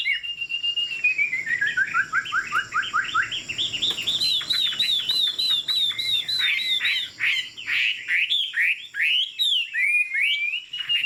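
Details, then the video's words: Tame Chinese hwamei singing from a high perch: a long descending whistled slide, then rapid looping, rising and falling whistled phrases, loud and continuous, with varied chattering notes near the end. "Họa mi thuần, Đuôi lá vả, Chim hót cao cầu"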